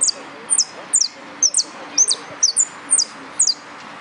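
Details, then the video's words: Saffron finch in full yellow plumage competing in a singing contest, giving high, sharp downslurred notes in pairs, about two per second, with soft background murmur; a man calls out a number and time afterwards. "Participo en Amarillo Completo Concurso Nuevo Irupe"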